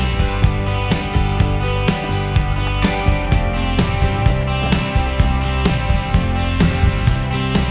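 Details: Guitar-led country-style music plays with a steady plucked beat and drums, and no animal sound is heard.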